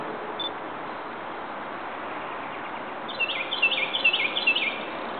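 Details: A Rose-breasted Grosbeak in Ellicott City, Maryland, on May 5, 2011, gives a quick, warbled phrase of sweet, varied whistled notes lasting about a second and a half, over a steady hiss of background noise.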